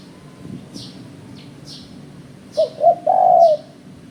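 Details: Hobby bird luring with a spotted dove: after quiet high chirps, a single phrase of two short soft hoots rises into a long, steady, slightly quavering coo.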